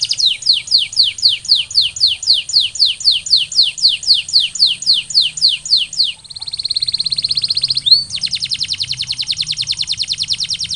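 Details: Canary singing as a trigger for other canaries to sing: a long series of downward-slurred whistles about twice a second, then a dense buzzy rolling tour, then a fast bright trill.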